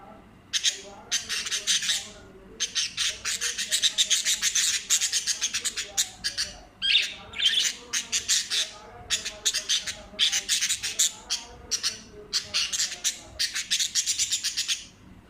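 Budgerigars give a continuous stream of harsh, scratchy chirps and warbles in quick bursts.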